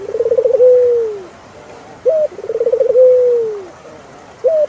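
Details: Turtle dove coos in steady repetition, each phrase a rippling trill flowing into a long downward-sliding note, with a short hooked note between phrases.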